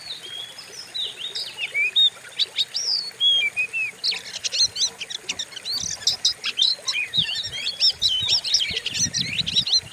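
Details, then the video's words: Oriental magpie-robin lure song for training other birds: scattered whistles at first, then a dense loud burst of rapid chips, trills and varied notes over background noise. "Pancingan burung Kacer; sadis dan ganas suaranya"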